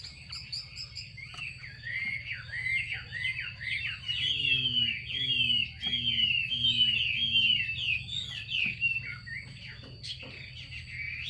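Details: Female Chinese hwamei calling to stimulate male song: a long, fast chatter of slurred whistled notes, accompanied by lower repeated notes in the middle, over a steady background hum.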